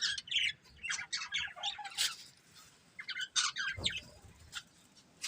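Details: Breeding pair of budgerigars kept as pets, giving bursts of sharp, scratchy chirps and short warbled notes with brief pauses between them, plus a single soft low thump partway through.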